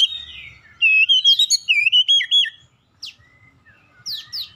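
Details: Magpie-robin song used to provoke rival birds to sing; a rapid series of loud, looping whistled notes for about two seconds, followed by a pause and scattered sharp sweeping chirps.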